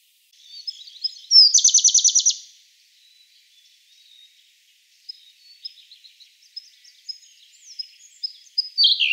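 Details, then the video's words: A Siberian blue robin (Luscinia cyane) sings a loud, very rapid, rattling trill of about ten high notes lasting one second, followed by scattered soft, thin, high chips and twitters. "Как поёт синий соловей"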